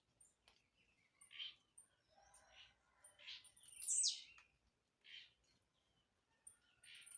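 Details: Blue-black grassquit singing as it jumps, with repeated short buzzy bursts roughly every second and one loud high downward sweep near the middle, plus faint high ticking notes throughout.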